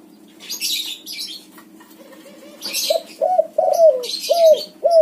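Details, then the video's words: White-coloured spotted dove building into its coo: soft quiet notes first, then louder, hooked, falling coos repeated roughly every half second, with background hum and short hissing noises. "suara tekukur warna putih BS backspot manggung gacor"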